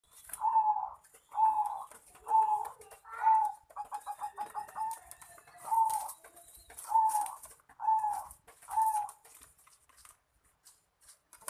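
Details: Barbary dove in a cooing contest: eight loud, even coos near the same mid pitch, about one per second, broken midway by a fast rattling run of short notes, with faint high hiss above.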